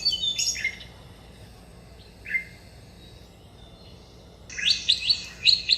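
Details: Tickell's blue flycatcher near a bird bath in India: scattered high whistled notes and short downslurred chirps, then a rapid burst of bright, twittering notes at the end.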